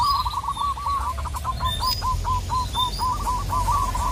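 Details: Local zebra dove calling a rival with a continuous series of crisp cooing notes, fast at first, then spaced and steady, while other birds give thin high whistles over a low background rumble.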